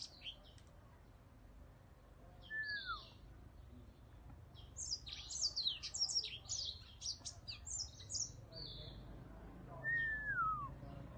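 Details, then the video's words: Whitetip kept as a cage bird: after a quiet start, a burst of rapid high twitters and trills, framed by two lower slurred whistles falling in pitch. "Giọng hót Whitetip"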